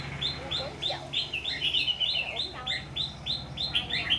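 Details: White-cheeked red-whiskered bulbul used as a trap decoy, its fighting song a quick series of high, slightly slurred notes repeated without pause; faint human voices beneath.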